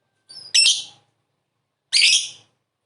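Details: Lovebird calling, used as a lure sound to prompt other lovebirds to answer: two harsh, high, shrill screeches about one and a half seconds apart. The first is preceded by a thin high note. Background is quiet.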